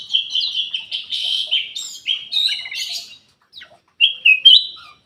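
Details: Kutilang emas bulbul singing to encourage silent caged birds. A dense, bubbly warble of overlapping whistled notes is followed by a brief gap, then a few sharp, rising whistles.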